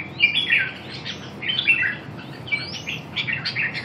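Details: Red-whiskered bulbul warbling in quick slurred whistles, rising and falling notes over a steady background hiss.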